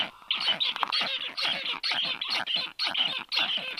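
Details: A nest of black storks on 4 July 2022, 1:30 p.m.: the young give broken runs of coarse, hoarse, screeching calls, a few short pauses breaking the fast rhythm, while a strange stork perches above.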